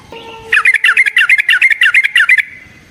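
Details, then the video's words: Yellow-vented bulbul in a long fighting song, used as a lure to provoke another bird. A faint low whistle comes first, then a fast, even string of about a dozen loud, bubbly, slurred notes lasting two seconds. "Suara Burung TRUCUKAN gacor TARUNG ROPEL PANJANG pancingan trucukan agar JADI trucuk gacor EMOSI"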